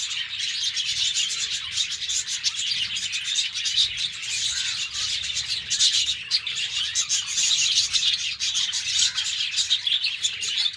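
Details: Several caged budgies on a morning, chattering nonstop: a long run of rapid scratchy warbles and thin high tweets from many birds together, growing slightly louder midway.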